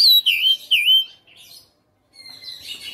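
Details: Home-kept fighter-type Oriental magpie-robin giving three loud, clear whistles that swoop downward, then a soft trill, a silent gap and faint scratchy twitters.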